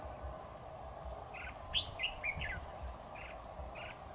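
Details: Red-whiskered bulbul at a trapping site on 7 October 2019, the caged decoy singing to draw in a rival. A brief burst of sharp rising whistled notes is followed by softer spaced chirps over low background hum.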